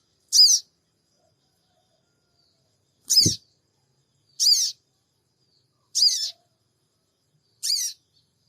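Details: Sooty-headed bulbul giving its 'cingik cingik' call, recorded on an Android phone in Purbalingga as a lure to provoke a response: five short, harsh, high chirps with sliding undertones, spaced irregularly one to three seconds apart, plus one low thump.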